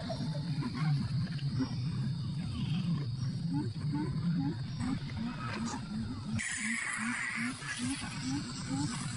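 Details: Coucal mother scolding her chicks, which are still hungry after being fed plenty; a rapid series of short, low, hooting notes about three per second over a deep, rough rumble, with a brief hiss midway.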